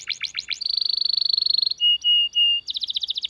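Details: Domestic canary singing a long rolling song meant for tutoring and prompting other canaries: rapid repeated downslurred notes, a fast trill of about thirty notes, three sustained whistles, then another quick trill.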